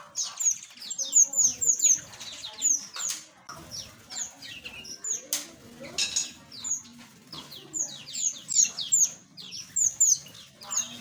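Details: Flock of small aviary birds giving rapid, very high, piercing tweets repeated in clusters, with an occasional sharp thump or wing noise cutting through the chorus.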